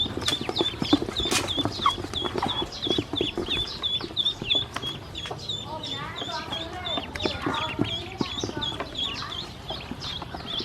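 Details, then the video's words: Hungry baby ducklings being given feed and drinking water by a woman, a flock peeping constantly: high, short chirps repeated about three times a second over a busy background of overlapping peeps and soft clatter. "Hungry baby ducks"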